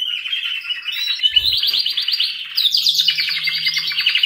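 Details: Canary singing rolling trills that rise into a higher, brighter rapid trill, with a faint low hum in the background.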